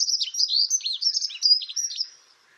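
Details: Pied wagtail (Motacilla alba yarrellii) in gardens along the riverside promenade of the Tállara River, Noia: a quick twittering run of high, sharp chirps and slurred notes lasting about two seconds, then fading out against a quiet background.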